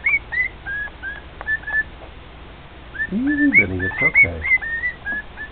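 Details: Pet male cockatiel singing at home near two other cockatiels: short clear whistled notes near one pitch, slightly rising or dipping, repeated in quick series, with a person talking over the middle of the phrase.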